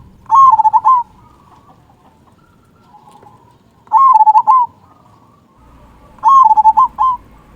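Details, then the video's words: Local zebra dove with a big 'kung' voice, used as a singing lure: three loud, bubbling coo phrases about three seconds apart, each a quick run of notes ending in a drawn-out coo. "Perkutut Lokal Gacor Suara Kung Besar Pancingan Burung Perkutut Agar Bunyi"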